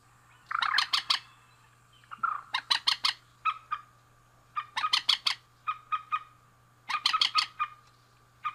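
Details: Calls of a male and female rail: grating, clipped notes delivered in quick clusters, some bursts opening with a drawn, nasal note, repeated every second or two.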